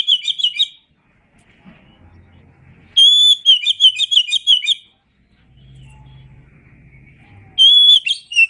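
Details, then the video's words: Oriental magpie-robin heard on a tutor recording for songbirds, singing repeated phrases of a clear sustained whistle and rapid warbling notes, roughly every four seconds, with soft low rumbling in the pauses. "Masteran Suara Kacer"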